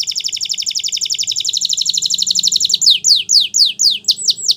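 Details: Timbrado canary delivering a long, fast rattling trill that slows into a string of loud descending slurred notes, each about half a second apart.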